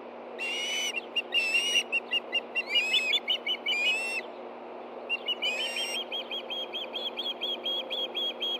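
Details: Two hungry Ospreys on a Hellgate Canyon nest in Montana, late morning of 24 August 2013, calling when a fish arrives: bursts of sharp whistled chirps and slurred, wavering notes, with rustling wing noise between them.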